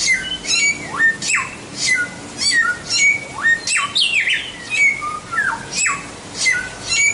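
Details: White-rumped shama song for tutoring: quick, sharp descending whistles and chirps repeated about twice a second in an uneven rhythm, with one buzzier phrase midway, over a noticeable hiss.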